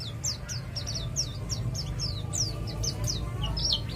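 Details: East Java white-eye in ngalas style, its rapid nembak song used as a lure to set other birds singing: quick high chirps and short slurred whistles in dense runs over a steady low hum.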